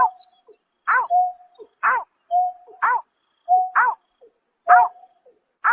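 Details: Nocturnal greater painted-snipe calling in March 2024: alternating flat whistles and descending buzzy harmonic notes, evenly repeated about once per second without other noise.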